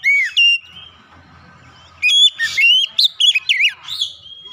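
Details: Oriental magpie-robin singing a lure song to make silent birds sing: one swooping whistle, a quiet gap with faint low hum, then a busy stretch of sharp, quickly changing whistled notes.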